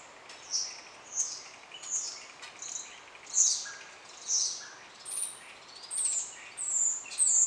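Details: On 28 March 2016, a rose-ringed parakeet feeding on blossoms gives sharp, high, screechy calls, roughly one every second, over a faint background hiss.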